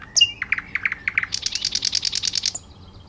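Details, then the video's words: On Bornholm's clifftop path near Vang in 2009, a thrush nightingale sings in view: a few high whistles, then a series of deep knocking chock notes speeding into a fast, loud rattle of high pulsed notes. "Northern Nightingale Bornholm"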